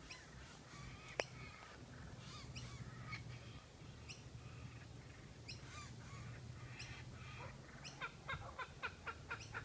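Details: Kookaburra chicks on the Sunshine Coast near Noosa, Queensland, Australia, squawk as an adult brings a caught lizard to feed them: harsh, raspy bursts thickening into a rapid run near the end, over a steady low rumble.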